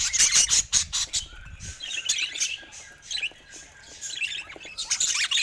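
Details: Colorful pet budgerigars with an opening burst of loud, scratchy chirps, then softer warbling and twittering that swells again at the end.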